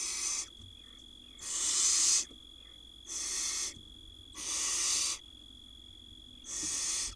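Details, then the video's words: Nest-box barn owl nestlings in Israel, 2022, begging from their mother during feeding as one small chick gulps a mouse; five rough, hissing screeches spaced roughly a second and a half apart, over an electrical hum. "Barn Owl tiny nestling swallows mouse while other get fed by their Mom."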